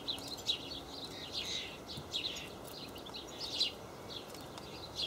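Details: A young house sparrow, one of a pair recently fledged from a nest, visits a Hamburg allotment garden on 30 May 2012 among three tree sparrows eating hulled sunflower seeds; it gives short, high chirps in loose bursts about every second, with faint hiss and possibly other sparrows nearby.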